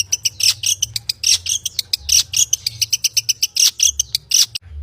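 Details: Long-tailed shrike singing a rich, varied song with mimicked phrases: rapid bursts of sharp, high chattering notes and buzzy trills in quick succession, separated by brief pauses, with a low hum underneath.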